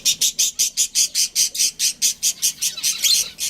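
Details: Caged budgerigars from a colony with a breeding pair, giving a steady series of short, scratchy, very high notes repeated about five times a second without pause.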